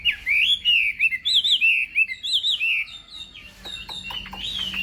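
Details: Chinese hwamei in morning voice training for singing contests: rich, looping whistled warbles sung in a loud run, followed by a quieter passage of sharp, higher notes.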